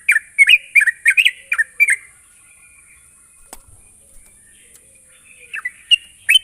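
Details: Lure sound of a sooty-headed bulbul for prompting rapid ngropel singing: a quick cluster of bubbly slurred notes, a silent stretch with a single click, then a few more bright chirps near the end.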